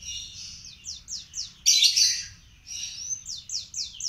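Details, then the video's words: Young panda canary learning to sing: a series of high, quickly repeated downslurred chirps, several each second, broken midway by a brief loud buzzy burst, then more repeated chirps over faint low background hum. "Kenari Panda Belajar Gacor"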